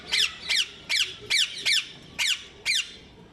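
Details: Rose-ringed parakeet calling: seven sharp, shrill screeching notes, each a quick downward-sweeping squawk, repeated about every half second against a faint indoor background.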